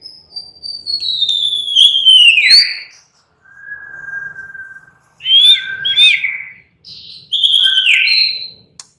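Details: A white-rumped shama, known locally as murai batu, sings calmly: a long descending whistle, a flat steady low tone, then clusters of quick twisting whistled notes.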